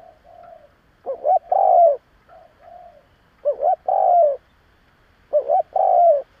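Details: Spotted dove decoy bird cooing to stir up wild doves: soft, quiet coos first, then three loud phrases, each a quick double-lilting note followed by a long, full, slightly falling coo, repeated about every two seconds.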